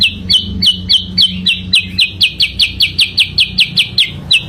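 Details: Sooty-headed bulbul song used as a lure: a long, even series of crisp down-slurred chirps, about four every second, each one nearly identical, with faint low hum at the start.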